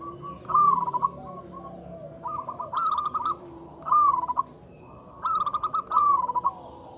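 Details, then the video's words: Loud local zebra dove song meant to prompt silent doves to call: short trilled phrases of clipped, rippling coos, each about half a second long, repeating every second or so, over a steady high whine. "Suara PIKAT dan PANCINGAN perkutut lokal gacor untuk atasi perkutut bisu dan susah bunyi."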